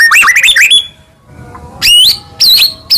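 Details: Rapid twisting whistles from a white-rumped shama in a morning lure recording for caged birds. After a short quiet gap come loud rising whistled notes and a wavering high whistle.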